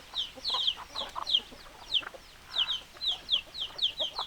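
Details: Hens clucking: a run of short, high, downward-sweeping notes repeated several times a second, with lower soft clucks underneath.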